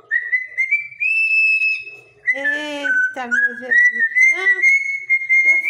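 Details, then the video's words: Parrot laughing: a steady whistled tone near one pitch, rising slightly in steps, broken in the middle by a burst of harsh, rich-toned cackling notes, then a long whistle again climbing gently to the end. "papagaio inteligente dano risada"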